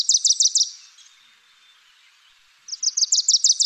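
Wilson's Warbler song: a quick, high chattering series of about five sharp chips, a brief pause, then another rapid burst of the same dry notes.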